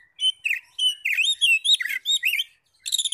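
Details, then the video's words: Oriental magpie-robin singing to provoke other magpie-robins to respond, a lively chain of looping whistled notes, rising and falling, about two phrases a second, ending in a harsh buzzy burst. "PANCINGAN NAIKAN EMOSI KACER 100% IKUT NYAUT NGEPLONG"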